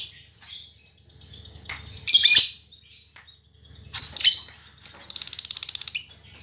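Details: Fighter-temperament female lovebird, as vocal as a male; harsh shrill bursts of chatter, then a fast rattling string of about a dozen clipped high notes at the end.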